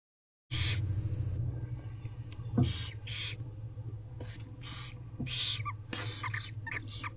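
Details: Barn owl nest box on 4/12/23 at 2:06 pm, holding a female with five young owlets: repeated harsh, broadband hissing bursts about half a second long, spaced irregularly, over a low steady hum.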